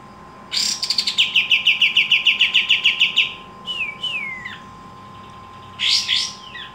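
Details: Pied triller (kapas tembak) singing actively, opening with a harsh burst into a quick regular series of bright repeated notes, followed by downslurred whistles and another rasping burst.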